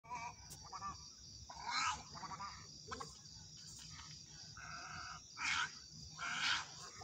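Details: Little egrets in Sindh giving harsh, croaking and squawking calls in overlapping bursts, some nasal and harmonic, others broad and rasping, several loud outbursts across seven seconds over a steady noisy background.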